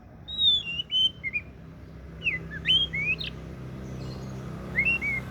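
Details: Oriental magpie-robin song: sparse clear whistled notes, some slurred downward and some rising, spaced by short pauses, over a steady low background hum.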